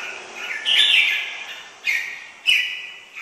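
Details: A red-whiskered bulbul gives a loud whistled warble, then two shorter clear whistled notes, each starting sharply and fading, with light hiss behind.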